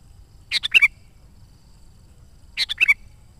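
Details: Sooty-headed bulbul song used to call wild birds and prompt trained ones: two repeated bubbly phrases, three to four notes with a final whistle, two seconds apart.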